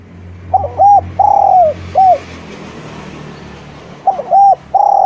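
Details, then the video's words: Collared dove used as a training song to stir lazy spotted doves into calling: two cooing phrases about three seconds apart, each a short note, a long sustained coo and a brief final coo, over a low hum. "Derkuku gacor cocok untk memancing tekukur bahan yg malas bunyi N menjadi Masteran derkuku terampuh"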